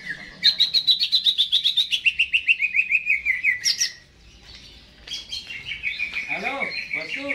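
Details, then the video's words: Greater green leafbird kept in a cage, singing hard before being hung up, jamtrok style: a fast descending string of clipped notes, a pause, then varied rolling chatter and whistles. "CUCAK HIJAU GACOR...Sebelum di gantang"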